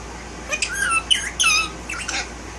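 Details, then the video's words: A one-year-old male violet Indian ringneck parakeet kept as a pet, tail-less from biting it, produces squawky, whistled, speech-like syllables with sliding pitch. A steady indoor room hum sits beneath. "Best Talking Bird - Indian Ringneck"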